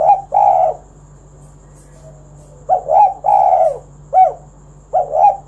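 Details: A vocal spotted dove, used to prompt other doves to sing, utters paired throaty coos, a pause, then further two- and three-note coo phrases, some ending in a curling downward note.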